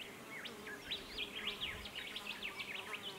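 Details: Wedge-tailed eagle chicks in Canberra in November 2016 give thin, high whistled notes that zigzag up and down in rapid succession, about three each second, over a low steady hum.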